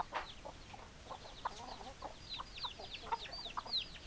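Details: Hens clucking in a chicken flock: scattered short clucks and high falling peeps from several birds, growing busier toward the end.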